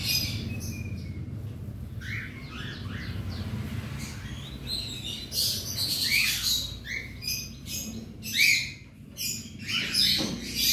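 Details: Around 100 cockatiels kept together in a colony aviary, calling while the cage is cleaned: a busy mix of short chirps and harsher squawks, some rising sharply, overlapping irregularly throughout, over a low background hum.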